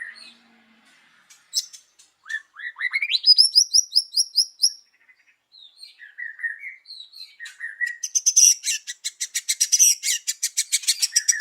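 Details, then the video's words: White-rumped shama morning lure song: soft opening notes, a rising run of clear whistled slurs climbing to high repeated notes, short warbles, then a long fast series of high, dry ticking notes. "PANCINGAN MURAI BATU PAGI HARI 98% IKUT BUNYI"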